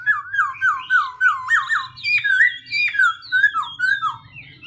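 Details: Black-throated laughingthrush in continuous voice-switching song: a run of about ten clear, downward-slurred whistles in quick succession, then shifting to higher, varied whistled notes and chirps over a faint low hum.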